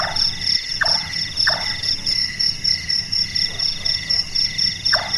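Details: Night-active large-tailed nightjar (burung malas) giving three quick hollow knocks, then a single later chonk, its carpenter-like call partly masked by a bright steady insect chorus.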